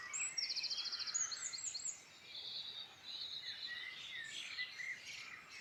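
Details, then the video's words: Wild birdsong in the Irish Midlands opens with a fast, even trill repeated in bursts, followed by quieter warbling and chirps from other birds under light hiss. "Beautiful birdsong in Ireland Midland"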